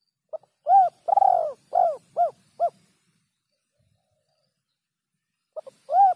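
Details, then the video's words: Spotted dove singing the kuk 3 style, cleanly recorded: a soft lead-in note, a coo, a long rolling coo, then three short coos close together; after about three silent seconds the phrase starts again. "suara burung terkukur kuk 3"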